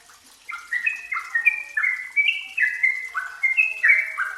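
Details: Yellow-vented bulbul lure song: after a brief quiet start, a fast sequence of mellow chirping notes, tightly packed and zigzagging between two pitch levels.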